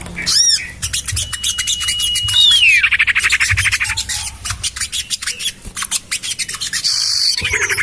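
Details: Common iora lure call to attract birds, tested in a garden by a house: one arched squeak, a long level whistle that tips into a downslur, then long rapid rhythmic chattering.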